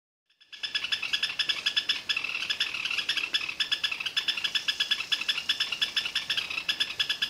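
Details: A wild Great Xenops (Megaxenops parnaguae), a species endemic to Brazil's caatinga, sings without pause: bright, high, ringing notes pulsed about six times a second in a dense, steady stream.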